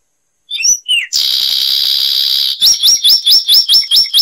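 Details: High, loud Zapata wren (Ferminia cerverai) song from Cuba: a few slurred whistles, a long buzzing roll of about one and a half seconds, then a steady run of rising whistled notes.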